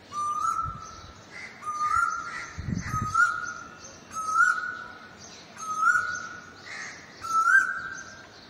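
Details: An Asian koel gives six clear, slightly rising whistled 'koo-oo' notes, about one every second and a half, over faint background noise and a brief low rumble.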